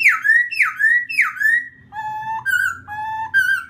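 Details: A laughingthrush sings to provoke another bird: three loud descending whistled slurs, a short gap, then steady alternating low and higher level whistles.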